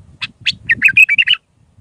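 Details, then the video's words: Raw Mandali-style Iraqi bulbul song used to tutor chicks: two sharp opening notes, then a loud, rich run of slurred, whistled warbles, over a low rumbling background noise. "تغريد بلبل عراقي خام مندلاوي راقي ساعة كاملة التعليم افراخ البلابل"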